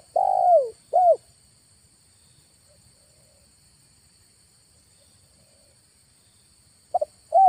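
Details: Spotted dove calling as a lure during an August afternoon trapping trip near a village: a long falling coo and a short hooked coo, several seconds of quiet, then a new phrase beginning with two quick notes.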